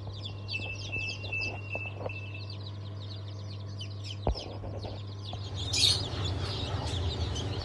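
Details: Recently hatched chicks of Blue, Light Brahma, Wyandotte, Sebright and Legbar breeds, hatched 07.07.2023, peep in a thin high chorus alongside a steady whistle-like tone, a click, a brief shrill burst and a low hum.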